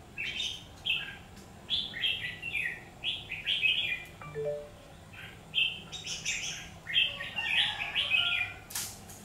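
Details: Combative fight singing by a red-whiskered bulbul at a trapping session, 17 October 2019: quick bursts of rich, slurred chirping notes in clusters separated by short pauses, ending with a loud click and a brief rustle.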